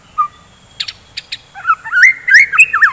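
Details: White-rumped shama in the morning, singing to stimulate fighting birds: a soft whistle and a few sharp clicks, then a rich warbling run of rising and falling whistled notes.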